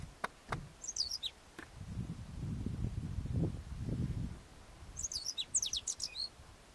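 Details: A single Hellmayr's pipit (Anthus hellmayri) vocalizes at 2,000 m on the Filo de los Comechingones, Merlo, San Luis, on 21 November 2013, giving thin, very high chirps in two short bursts amid wind rumble and clicks.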